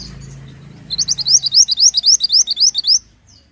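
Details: Pied bushchat singing as a training recording for songbirds: a lively two-second run of about a dozen quick, high, rising chirps repeated at an even pace, over a faint low hum that fades out.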